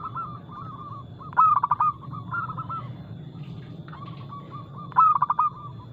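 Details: Local zebra dove singing in a fast, loud, crystal-clear style: a pair of brisk staccato coo bursts about three and a half seconds apart stand out against a background of other doves softly cooing.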